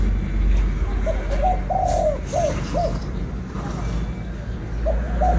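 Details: A Spotted Dove in Vietnam gives soft, low hooting coos in a short phrase of four or five notes, over a steady low rumble of background noise.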